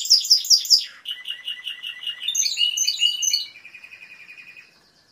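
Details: Timbrado canary singing a run of high rolling trills that drop step by step from very high notes to lower, slower, bubbling rolls, then fade out near the end.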